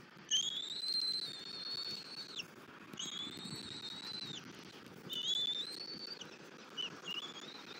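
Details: Bald eagles feeding a chick at a nest in Southwest Florida on a February morning: three drawn-out high whistles that rise then drop sharply at the end, spaced about every two and a half seconds, followed by short faint notes.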